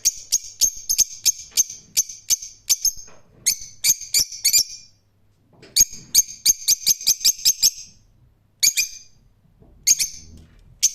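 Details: Rose-ringed parakeet calling in rapid bursts of short, sharp, shrill notes, roughly two to three per second, with a pause in the middle and a few single notes at the end; the background is quiet.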